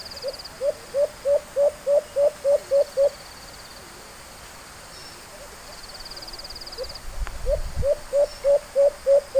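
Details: White-eared brown dove, recorded during a hunt: a run of short, low hooting notes repeated about three times a second, then a pause and a second run. A faint high insect buzz and a single knock sound in the gap.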